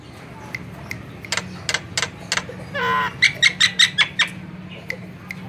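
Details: Javan myna singing lively as a lure: spaced sharp ticks, a short buzzy rasp, then a quick series of ringing harmonic notes over a low steady background hum.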